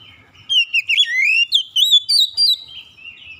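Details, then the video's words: A single continuous phrase from an Oriental magpie-robin: sweet, slurred whistles climbing and dipping in quick succession, about seven connected notes, ending on a softer drawn-out tone. "KICAUAN INDAH BURUNG KACER"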